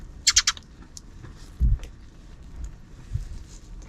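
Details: Sparrows noisy off-screen in the afternoon: a fast burst of three loud, sharp chirps at the start, then faint scattered notes and a dull knock.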